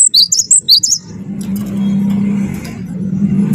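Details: Cinereous tit of the wingko type, sung to encourage other birds to sing: a quick run of sharp, high alternating whistles in the first second, followed by a steady low hum.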